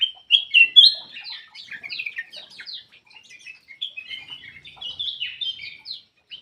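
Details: Ruby-throated bulbul giving a nearly continuous, rapid chattering song: loud sweet whistles at the start, then a long string of busy, scratchy and twittering notes without real pauses.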